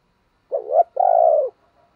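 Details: Decoy spotted dove calling to provoke others: a two-part phrase, a short wavering rising coo followed at once by a longer, steady, slightly grainy coo that drops away at the close.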